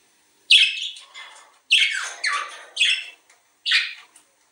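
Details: Budgerigars heard through a breeding-stimulation recording meant to encourage mating: bright, raspy chirped phrases in five separate bursts, each fading quickly, with short silent gaps between them.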